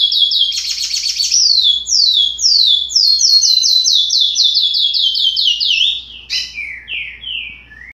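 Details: Young curió, about 60 days old, practising an unfinished song: a rapid string of high descending slurred whistles repeated many times, opening with a buzzy trill and trailing off into softer falling notes.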